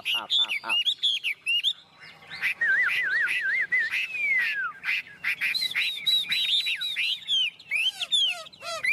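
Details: A tame, well-conditioned Chinese hwamei (họa mi) sings a loud, rich run of varied whistles, slurred warbles and quick trilled notes, phrase after phrase with hardly a pause.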